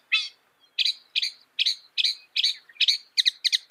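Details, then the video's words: Harsh, rasping notes from a northern mockingbird, a mimic of some 200 sounds, repeated about nine times at quickening pace, the last few doubled. "Masteran suara burung NORTHERN MOCKINGBIRE bisa merekam 200 suara"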